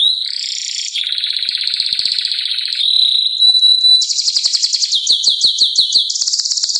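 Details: Canary song in the Canto Canário do Reino style: loud, high trills and rolling tours, a sustained buzzy roll, then fast pulsed chopped phrases repeating several times a second.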